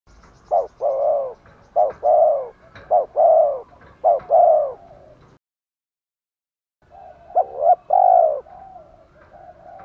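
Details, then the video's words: Spotted dove coos used as a lure to provoke newly caught males to coo, with female and male birds. Low phrases of two short notes, then a long drawn, falling coo, repeated four times, then a silent gap and another phrase. "Chim cu gáy thúc gù chất giọng gấy ức chế cho bổi rất cao, mở lên bổi gáy liền và dai dẳng"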